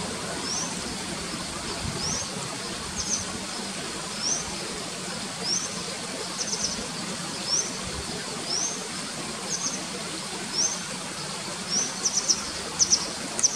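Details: Grey wagtail at Barinaga, Markina, in spring 2019, giving thin, sharp, high-pitched call notes about once a second, faint over a steady rushing background like running water.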